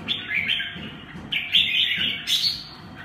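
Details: Red-whiskered bulbul giving three quick warbled phrases of bright chirping notes, the last higher and sharper, with muffled low thumps beneath.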